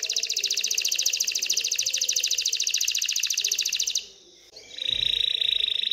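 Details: Canary song, excited, aimed at prompting females to breed and build a nest: a long even rattling trill lasting about four seconds, a short gap, then a new steadier tour begins.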